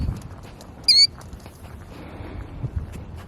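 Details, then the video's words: Killdeer protecting its nest at Iona Beach, Richmond, BC, Canada gives one sharp, high, slightly falling note, then stops; soft wind and faint background rustle fill the rest. "Bird Protecting Nest | Killdeer Bird makes funny moves & Sounds"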